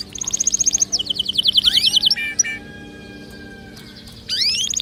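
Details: Canary song meant to stimulate other birds to sing: fast trills of repeated high notes, then a rolling buzzy passage, a held steady tone, and a final burst of sweeping notes.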